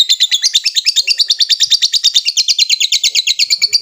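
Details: Lovebird giving a long ngekek trill while calling a rival: a rapid, steady chatter of sharp, high repeated notes that lasts the whole stretch and gradually lowers slightly in pitch.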